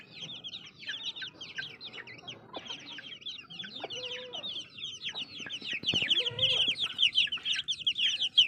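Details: Baby chicks chirping: many high, short, downward-slurred peeps overlapping in a continuous flock chorus, growing louder toward the end, with occasional lower clucking notes and scratchy clicks.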